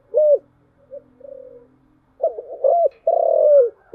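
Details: Spotted dove cooing, 'giọng thổ chiêu gù' style: an opening hollow coo, soft murmurs, then a throaty stutter, a rounded coo and a long sustained coo sliding down at its close.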